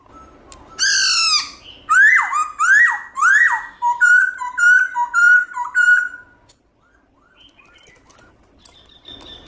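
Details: Black-throated laughingthrush, wild-type song with many voices, loud and clear, played to stimulate caged birds: a harsh opening burst, then a run of loud rising whistled swoops and steady whistled notes, fading into faint chirps.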